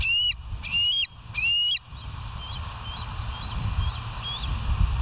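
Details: Bald eagle at West End, filmed on a live nature cam on 13 September 2023: three loud, shrill whistled calls in quick succession, then a series of faint, thin chirps fading into low rumbling noise.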